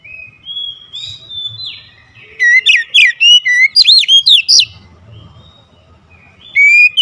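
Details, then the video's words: Oriental magpie-robin singing fiercely: soft drawn-out whistles, then a loud two-second flurry of rapid, shrill, up-and-down whistled notes, a pause, and another bright phrase starting; faint low rumble. "Kacer anda cepat ngamuk ngotot"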